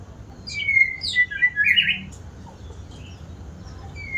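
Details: White-rumped shama, described as an eager singer, delivering quick mixed whistles and chattering notes in the first half, then near silence with one faint whistle at the end.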